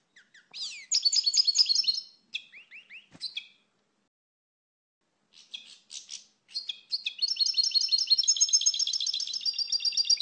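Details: European goldfinch song with varied chirps and rattling twitters, a silent gap, then a long rising run of rapid, jingling notes; a single click heard midway.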